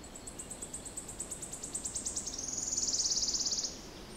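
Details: Wood warbler song with its distinctive crescendo, dated 06-07-16: high, thin notes repeated faster and faster, then merging into a loud, dry, shivering trill lasting about a second before stopping abruptly; other birds faint behind.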